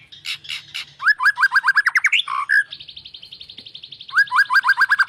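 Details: White-rumped shama singing a fast series of short rising whistled notes, about five per second, broken by a buzzy trilled stretch, then the rising notes again.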